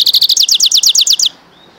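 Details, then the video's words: Trill from a goldfinch × canary mule: about a dozen crisp, downward-slurred high notes repeated rapidly and evenly, ending suddenly in quiet. "Goldfinch x canary mule καρδερινοκαναρο"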